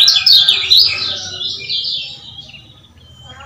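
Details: Male lemon-bellied white-eye, Lombok type, calling to stir up other males: a loud, fast twittering run in the first second that fades into softer, thinner notes, ending with a sharp click.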